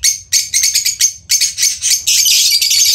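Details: Lovebird kept as a pet during parrot training: loud, shrill, high chirps in rapid bursts, several per second, with short pauses, ending in a continuous harsh chatter.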